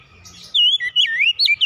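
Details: Oriental magpie-robin singing a brief burst of bright whistles. Sliding notes are broken by short gaps, over a low background murmur that can be heard before the bird starts.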